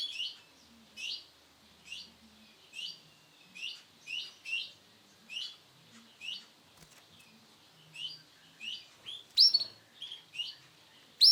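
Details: A male canary, sunkist colour variety, repeats short, high, slurred chirps at an uneven pace, about thirty a minute, ending in a cluster of sharper, louder notes; faint cage clicks are heard.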